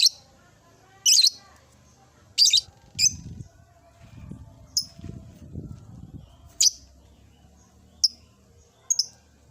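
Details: Lovebird kept in an old cage, starting to ngekek: piercing high chirps at irregular intervals, several short and clipped, with low muffled rumbling and handling noise between them in the middle.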